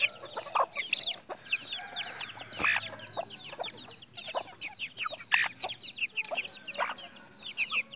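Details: Red junglefowl kept for breeding in Mukomuko, Bengkulu, Indonesia: continuous chorus of quick, high, falling chirps from many birds, with a few louder sharp calls scattered through.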